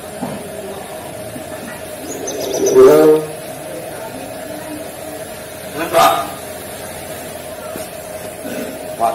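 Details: Trained black Nias hill myna (Gracula religiosa) mimics the greeting "assalamualaikum" in two brief, hoarse, voice-like bursts about three seconds apart, over a steady background hum.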